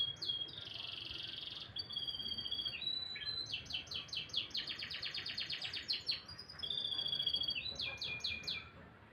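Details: Canary in full morning song: a buzzy sustained note, then varied rapid trills of repeated sweeping syllables alternating with clear level whistles.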